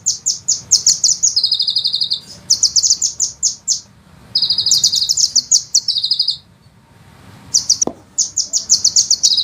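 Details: ["Sunbird song for training songbirds, delivered as speedy 'ngeroll' rolling phrases. Rapid high chirps lead into long buzzy trills, then a two-second gap before further chirp bursts."]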